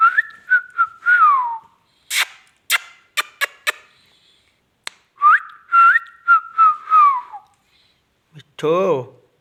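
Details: Indian ringneck parakeet talking in a small room, with speech-like phrases of gliding tones, then crisp clicks, another speech-like phrase, and a final rough, raspy burst.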